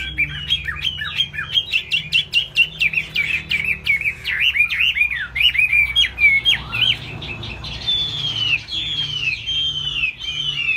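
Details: A laughingthrush singing high while beating its tail pours out a loud, rapid run of varied whistles, slurs and chattering notes, nearly unbroken for ten seconds, over a faint low hum.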